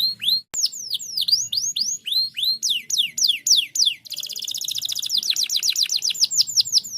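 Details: Canary song played to prompt reluctant birds to sing: clear high sweeping and V-shaped whistles repeated about three per second, breaking into a rapid rolling trill in the second half.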